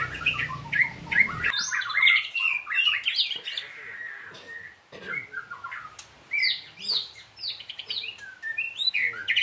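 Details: White-rumped shama singing during training: broken bursts of clear whistles, squeaky chirps and short sweeping notes separated by brief gaps. A low rumble opens the first moments.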